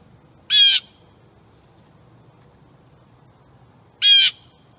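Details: Blue jay feeding on suet, recorded August 22, 2015, with a wild turkey wandering nearby: two loud, harsh, buzzy screeching calls, each about a quarter second long, spaced roughly three and a half seconds apart over a quiet background.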